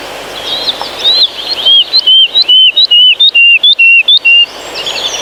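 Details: A woodlark in a Polish pine forest sings a soft, fluid, flute-like cascade of liquid whistled notes, about four per second, sliding gently lower in sad yet soothing 'lu-lu-lu' motifs.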